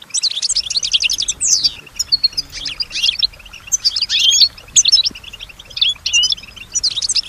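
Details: Imitative song of a kept female European goldfinch: bursts of rapid high trills, a descending swept note early, then scattered twittering phrases and chirps with short gaps between.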